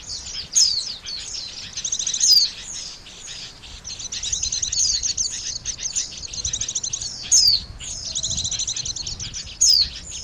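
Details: Oriental white-eye lure for trapping birds: bright descending high whistles recurring every few seconds, linked by long stretches of fast, high pulsed chatter over faint low rumble.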